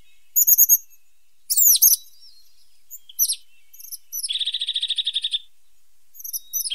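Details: A sharp-nosed tit sings a varied high sequence: quick pulsed notes, sharp steep slurs and scattered chips, then a long even buzzy trill of about a dozen beats.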